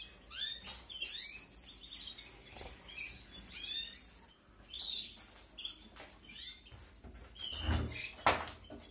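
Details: Nestling canaries being fed in a 2021 aviary brood utter bursts of shrill, rising squeaks and chirps, with a couple of dull thumps near the end.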